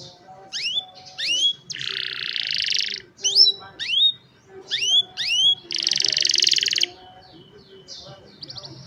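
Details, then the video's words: Young caged canaries singing for other canaries to learn from, cellphone recording; sharp rising whistles in twos and threes alternate with two long harsh buzzy rolls, ending on a soft short trill. "Young Canaries Sing for Your Lazy Canaries | Canary Singing"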